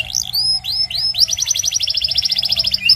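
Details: Belgian canary song for training young canaries: a few rising whistled slurs, then a fast rolling trill of rapid repeated notes.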